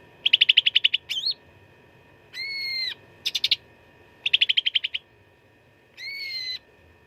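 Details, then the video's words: Cucak ranting in full fighting song for training contest birds: rapid trills of sharp notes alternate with drawn-out, nasal, slightly wavering tones lasting about half a second, with a twisting whistle and short chatters between. "CUCAK RANTING GACOR TERBARU 2025 _ SUARA TARUNG FULL ISIAN"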